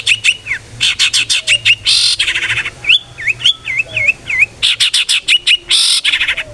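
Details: A long-tailed shrike sings a varied 'ngeplong' lure song to get other shrikes singing: quick sharp notes, harsh buzzy bursts, and a series of dipping V-shaped whistles, loud and busy throughout.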